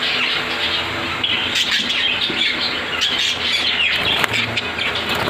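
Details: A dense chorus of pet parrots in a home setup, including ringnecks, cockatiels, budgies and sun conures, chattering with overlapping high chirps, squawks and whistles.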